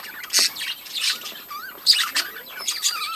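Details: Budgerigars in a breeding colony give loud, close chirps and sharp squeaks mixed with short warbling twitters that rise and fall, several birds calling at once.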